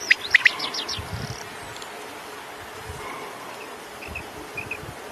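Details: Common quail singing: three quick, sharp whistled notes burst out at the start, then only faint scattered chirps and insect-like buzzing over a low background hiss.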